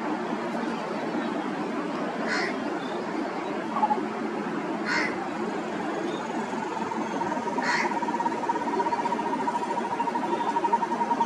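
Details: Indian grey hornbill uttering three separate squeaky calls a few seconds apart, while a steady mechanical drone rises in the second half amid constant background noise.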